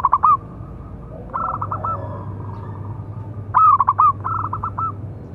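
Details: Big-voiced local zebra dove calling to provoke and train other doves: two loud trilled coo bursts about three seconds apart, each followed by a quieter run of clipped, evenly pulsed coos.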